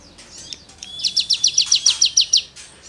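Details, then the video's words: Cigun 'gesekan' rasping song for tutoring songbirds: a brief run of about ten sharp, buzzy high notes over roughly one and a half seconds, with a thin whistled tone beneath the start. "CIGUNG GACOR FUL NEMBAK MATERI GESEKAN"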